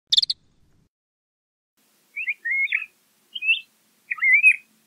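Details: LeConte's thrasher singing: a short sharp burst, then after a pause three separate warbled, slurred phrases with rising and falling whistled notes, spaced about a second apart, in a quiet setting.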